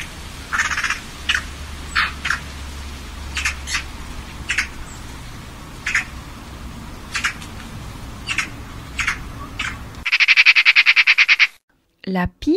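Eurasian magpie giving harsh, scratchy chak notes at an uneven pace, then a fast dry rattling chatter. A low hum runs underneath, and a voice follows briefly.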